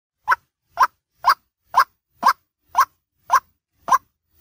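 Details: White-breasted waterhen, daytime lure call: a short hollow note repeated about every half second in a steady, metronomic series, with quiet gaps between notes.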